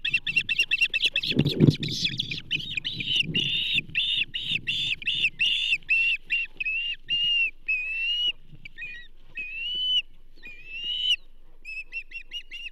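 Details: Osprey at the Charlo nest on 27 April 2024, heard from a nest camera as a whole whitefish is delivered to the banded female. A long run of high, whistled chirps, some rising then falling, with rustling and thumping near the start.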